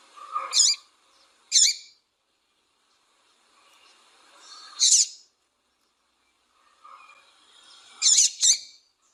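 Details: Female double-collared seedeater calling to excite and warm up the male into singing: four short, sharp, high chirps, some doubled, in scattered bursts with softer lower twittering notes between them and quiet pauses.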